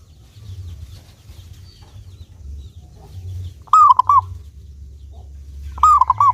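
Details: Two loud cooing phrases from a local Indonesian zebra dove, a clear-voiced bird used as a lure to set other doves singing. Each is one long note with two quick clipped coos after it, about two seconds apart, over low rumble.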